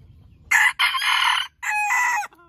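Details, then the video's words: Rooster crowing loudly and hoarsely in three rough bursts, the last a drawn-out note trailing off, with a faint tone at the close. "Rooster Crowing Compilation 2023 || Natural Rooster Crowing Sound Effects"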